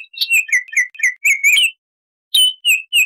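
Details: A brief burst of rich, slurred whistles from a Baltimore oriole, then a pause and three more clear notes.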